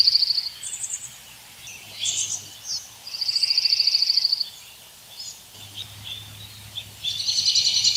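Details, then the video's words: Birds in woods give rapid high rattling trills, separate chirps and a bright warbled burst, with quiet gaps between phrases and a faint low hum. "Birds sing in woods"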